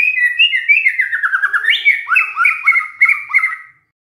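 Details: White-rumped shama delivering canary-imitating song, a continuous run of quick warbled notes stepping gradually downward, then looping rising-and-falling phrases before stopping.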